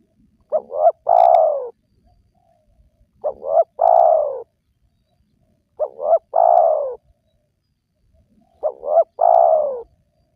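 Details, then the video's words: Spotted dove calling to attract wild doves: four steady phrases about every two and a half seconds, each two clipped coos leading into a long, mellow coo that fades downward, background otherwise quiet. "Jitu 100% Pemancing Burung Tekukur Yang Malas Bunyi,Langsung Rajin Bunyi"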